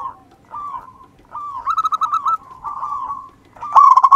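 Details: Local wild zebra dove singing as a lure. A run of gentle mid-pitched rolling coos rises into a louder pulsed phrase, then ends with a sharp rattling trill.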